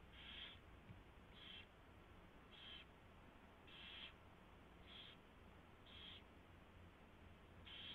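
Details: Owl at the nest before dawn, 4:21 AM on 24 February 2016, during mouse delivery and feeding. Seven short rasping hisses recur about once a second with uneven spacing, over a quiet steady hiss.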